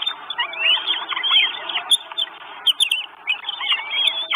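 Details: Northern goshawk chicks, four at a nest, Estonia, 1 June 2022, on a live nest camera: short bursts of high, squealing whistles asking for food, uneven and slightly gappy.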